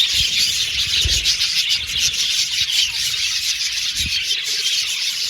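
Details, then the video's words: Budgerigars in an aviary, playing with their cage while singing and chirping: unbroken shrill chatter of many birds, with occasional low thuds from cage movement. "Budgies Singing And Chirping Sound"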